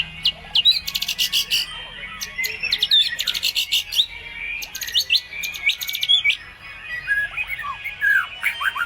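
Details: A white-rumped shama delivers a lure song full of mimicked material from other birds, used to make them answer: loud rapid chatters and clicks alternating with bright whistled slurs, nonstop and varied.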